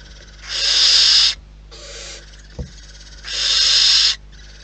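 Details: Barn owls in the wild at their nest give two strong, drawn-out breathy hisses nearly a second long, separated by a softer one and a single sharp knock.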